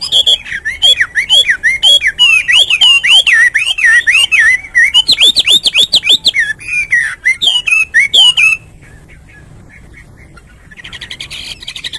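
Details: A Hwamei singing in the morning pours out a rapid, varied song of loud rising and falling whistles and slurred phrases for about eight seconds, then goes quiet before a brief noisy burst.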